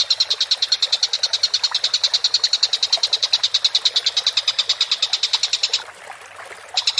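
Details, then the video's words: Training recording of a collared kingfisher. A long, unbroken chatter of harsh, rapid kek notes runs for almost six seconds at a steady pace, stops briefly, then starts again. "MASTERAN BURUNG TENGKEK BUTO GACOR"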